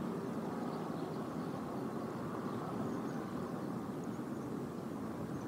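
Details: Continuous low droning engine or aircraft noise outdoors, with no animal voice standing out.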